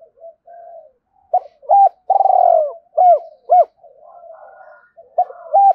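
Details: Spotted dove giving rapid, insistent coos used to excite and attract wild doves. A long vibrating rolled coo is flanked by short hooked coos, with soft low murmuring notes in the gaps.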